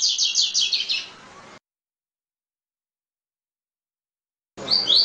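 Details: Double-collared seedeater song used to warm up captive birds: a fast trill of high repeated notes for about a second, silence, then a return of bright rising whistled notes.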